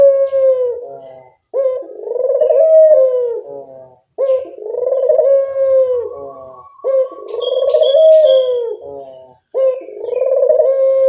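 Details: Barbary dove lure call for attracting birds: four loud, low, rolling coos in eleven seconds. Each opens with a brief hiccup, then swells into a purring drawl. A thin high chirp from another bird comes near the end.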